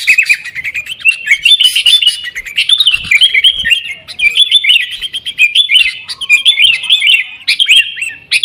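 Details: Loud, continuous chattering of sooty-headed bulbul, 'gacor' style, played to coax caged birds into song; dense, rapid notes rising and falling without a real pause.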